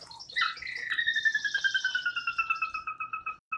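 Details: Sora whinny call from a Wisconsin marsh, a vocal bird heard by day as well as at dawn and dusk: a long descending series of rapid whistled notes, about twenty, slowing and dropping in pitch over three seconds.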